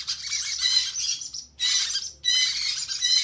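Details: Conure chicks calling during hand feeding: harsh, noisy, rasping begging squawks in three continuous bursts separated by brief pauses, dense and high-pitched, with a faint low hum beneath.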